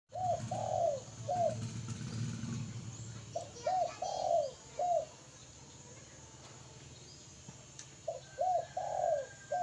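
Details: Spotted dove cooing in phrases of three to four soft, hollow notes, each phrase with one longer, louder middle coo, repeated about every three to four seconds over a low steady hum.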